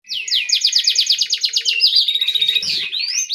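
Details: Small canary singing persistently: a fast trill of about fifteen sharp, high, downward-sweeping notes, then a bright, buzzy, twittering phrase with rising whistles at the end.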